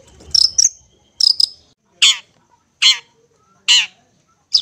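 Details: Long-tailed shrike, locally called cendet, in a master recording for young birds still being hand-fed. After a pair of doubled buzzy notes comes a series of short, harsh, rasping bursts, about one every 0.8 seconds, against a quiet background.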